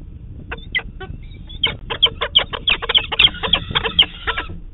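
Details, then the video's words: A young peregrine falcon at a Manchester, New Hampshire nest on the morning of 30 June 2019 begs for breakfast from its parents: harsh, rasping cries, three or four a second, growing louder and more insistent over a low rumble. "Good morning Mom, Dad, it's time to give me breakfast!"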